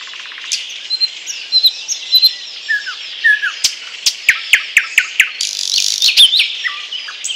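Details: A thrush nightingale (Luscinia luscinia) sings in Bryansk: a loud, varied song of sharp clicks, dry rattles and pure whistled notes in quick phrases, over a steady background hiss of other birds.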